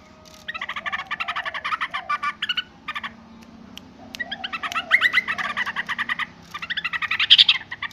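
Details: Yellow-vented bulbul calling noisily: rapid bursts of harsh, stacked chattering notes, each run lasting about a second, repeated with short pauses, with a faint steady low hum underneath.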